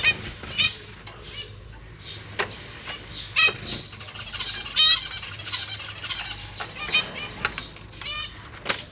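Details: Captive zebra finches, parents feeding their newly fledged young alongside three older juveniles. Many nasal, harmonic calls of varying pitch follow each other quickly, with some overlapping, plus faint clicks and rustling.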